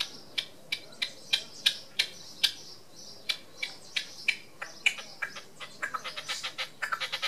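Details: Display calling from a red-legged partridge perched on a wall at Tresco Abbey Gardens, Isles of Scilly: sharp scratchy chucks about three per second, crowding into a quicker rattling run toward the close.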